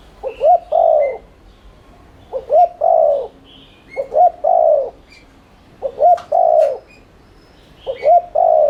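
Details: Spotted dove in rapid continuous 'thúc' cooing, played as a lure to excite caged doves into calling: five evenly spaced phrases about every two seconds, each a stuttered double note then a long, soft, falling coo, small birds twittering faintly.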